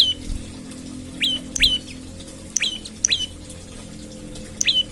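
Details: An olive-backed tailorbird calls in the morning as a lure for other tailorbirds: fainter, scattered high chips that drop in pitch, heard over a soft background hum.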